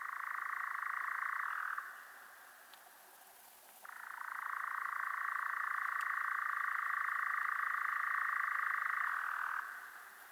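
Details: European Nightjar's continuous purring churr, a fast even stream of pulses. It breaks off briefly near two seconds, then resumes for about six seconds with a slight shift in pitch before fading.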